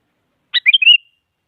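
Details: Challenge song of a sooty-headed bulbul, used to prompt a silent bird to sing. A harsh chirp leads into quick, liquid, up-and-down warbling whistles that end in a sustained note. The phrase stands alone in silence.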